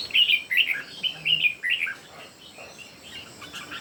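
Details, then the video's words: Red-whiskered bulbul, one of three birds singing in competition; a run of loud, warbled whistled phrases in quick succession for about two seconds, then softer scattered notes. "3 CHÚ CHIM CHÀO MÀO CỦA A TỦA HÓT ĐẤU QUÁ ĐẲNG CẤP."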